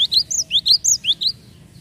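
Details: Java sparrow calling as a lure for other birds, a fast string of about eight high, bright chirps with rising and falling slurs, ending abruptly into quiet.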